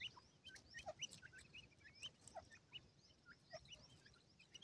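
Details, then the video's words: Partridge chicks quarrelling at feeding time produce quiet, high whistled peeps, short upward and downward slurs scattered irregularly over soft background noise. "pheasant chicks fight over food,teetar bhora ho gia ha,awaz partridge"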